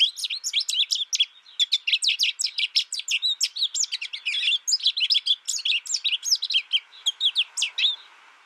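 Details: Long, busy twittering from an American goldfinch: dense sharp chips mixed with sweet rising and falling slurs, repeated many times a second, fading slightly toward the end.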